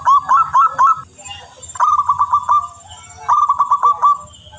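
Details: Local zebra dove singing vigorously and very clearly, a song used as a lure: three rolling phrases of rapid, bubbling staccato coos, each lasting nearly a second, spaced by quiet gaps of about half a second.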